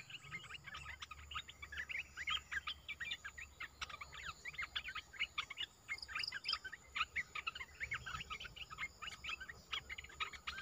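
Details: Caged olive-winged bulbul singing, recorded 29 June 2021; a long, dense run of quick chirped and warbled notes, steadily repeated with short gaps, over a constant high-pitched background hiss.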